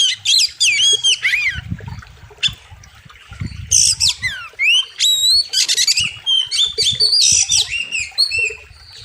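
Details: Oriental magpie-robin singing hard and loud for training other birds, wild river theme: dense bursts of sweet whistled slurs, sharp chips and scratchy rasping notes, phrases separated by brief pauses, with low background thumps.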